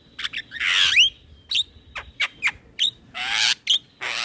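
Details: Male black-winged starling (jalak kebo) singing vigorously, a lure for training birds: harsh rasping bursts mixed with short sharp whistles and squeaks in an uneven, lively sequence.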